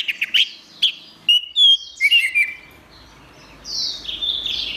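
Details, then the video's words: Orange-headed thrush singing energetically, opening with sharp, loud whistled notes separated by short pauses, then sliding whistles and a run of quick, high twittering phrases toward the end. "Suara Burung Anis Merah | Gacor"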